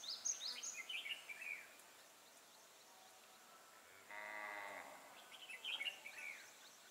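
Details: Red-whiskered bulbul used as a caged decoy to trap wild birds, recorded 12 April 2018; bursts of bright, warbled, high notes open and close the clip, with a low harmonic buzzing sound in between over steady background hiss.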